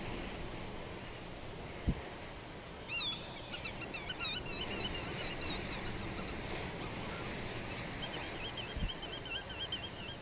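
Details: Black-tailed godwit males fighting over ideal nesting ground in a meadow while females watch from a distance; a run of wavering, nasal repeated calls, then a level repeated series later, over heavy wind noise.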